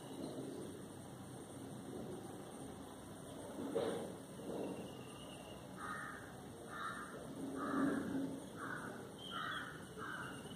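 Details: Indian grey hornbills, a noisy family resident in a neighbourhood, calling during their morning foraging among papaya, fig and berry trees; a few low notes, then a series of six shrill squealing calls in the second half, with constant background hum.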